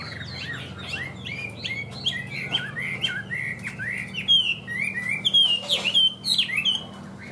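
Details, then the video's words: Caged Chinese hwamei pouring out a rapid, varied song of bright slurred whistles, each phrase swooping down or up, many repeated in quick runs, with a few sharp clicks and a low background hum. "HÓT TỐT RA GIỌNG ĐỀU"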